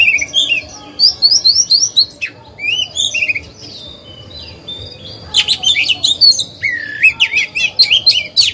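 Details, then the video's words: Decoy oriental magpie-robin singing to provoke other birds: rapid high twittering phrases, a quieter stretch with soft notes, then loud sharp clicks and looping whistled phrases. "Chòe than hót hay, luyện mồi, kích bổi, tập chim non"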